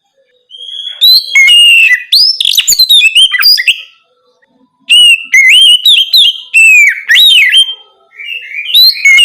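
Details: Loud nocturnal song of an Oriental magpie-robin, meant to prompt other birds to sing, in two long bouts of varied whistles, slurred notes and quick chirps, broken by a pause of about a second.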